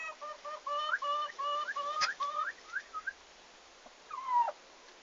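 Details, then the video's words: Farm turkeys on their arrival day, 11 August 2015, give a run of short, evenly spaced, rich harmonic yelps, some ending in upward slurs, then a pause and one louder descending note near the end. "Meie talu esimesed kalkunid"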